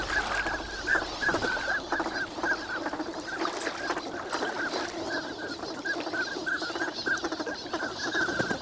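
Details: Flock of wintering migrant ducks at Nagahama, Lake Inawashiro, active on a fine winter morning; many short nasal calls overlap continuously, with a constant low rumble of wind and water.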